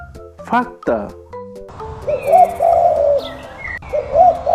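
A voice names the bird, then a dove gives low, soft, hoarse coos, swelling twice over three seconds, under background music.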